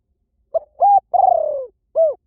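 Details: A single Spotted Dove phrase, recorded to lure doves in fast in any forest: a brief coo, a steady mid-pitched note, a long pulsing coo sliding downward, then a short rounded closing note, against silence.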